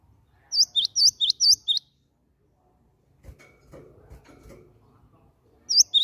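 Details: Cinereous tit used as a lure to prompt other birds to sing: a rapid run of five high, sharp, hooked whistles, then a pause with soft low rustling and knocking before two more whistles begin.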